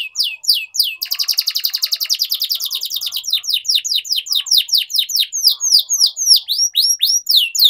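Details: Singing-training canary song meant to teach young canaries, opening with a few rising notes, then a long rapid rattling trill lasting two seconds, followed by steady repeated downward-sweeping chirps.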